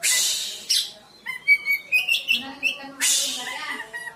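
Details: Oriental magpie-robin (kacer) song played as a lure to make lazy birds sing: short whistled notes and chirps between loud harsh hissing bursts at the start and end.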